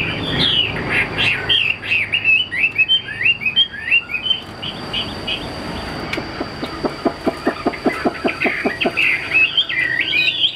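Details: Chinese hwamei in a cage, said to be 80% tame: looping whistled phrases at first, then a rapid train of short dry ticks, before the whistling resumes with upward-curling notes.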